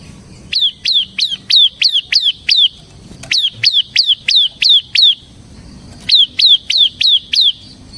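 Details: Ngebren song of a ciblek semi (bar-winged prinia), played to lure and tutor captive prinias. Three bursts of rapid, piercing, descending chips, eight, seven and five notes, separated by brief pauses.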